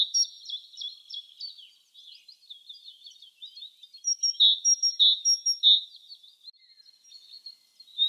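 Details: Great tit (Parus major) singing in the wild in spring: a jumble of soft twittering, then three loud, clear two-note phrases repeated about every half second, with other birds chirping faintly around it.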